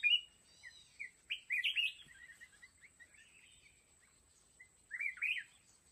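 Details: Decoy red-whiskered bulbul singing beside a trap set for wild mountain bulbuls: a loud opening note, then bursts of lively warbled, up-and-down phrases with softer twittering between them and a final strong chattered phrase.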